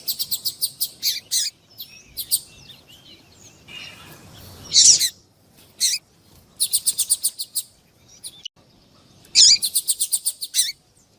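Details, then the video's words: Coleiro tuí tuí style song of a double-collared seedeater, with a female calling, played to excite a kept male: bursts of rapid, evenly repeated high chips, several series separated by pauses, plus a few harsher notes. "MELHOR COLEIRO TUÍ TUÍ E FÊMEA CHAMANDO PARA ESQUENTAR COLEIRO"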